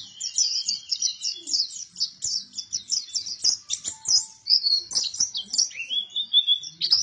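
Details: Vigorous white-eye song, pleci buktoni type: a rapid string of high, clipped chirps repeated in quick succession, followed by slurred whistled notes and warbled twitters.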